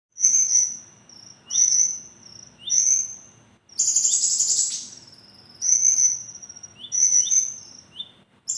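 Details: Javan kingfisher calling actively with sharp notes: high whistled bursts, each about half a second, repeated roughly every second, with one longer, harsher burst in the middle; quiet background.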